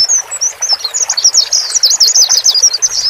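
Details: Male and female white-eyes helping a new caged bird adapt; thin high notes begin sparsely, then build into a rapid, unbroken twittering chatter of slurred chirps.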